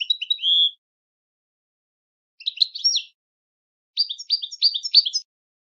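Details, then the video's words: Goldfinch song meant for training goldfinches. Three short phrases of bright, high chirps are separated by pauses, and the last is a run of repeated sharp 'tik' notes. "Super Song To Teach And Listen To Goldfinches Birds"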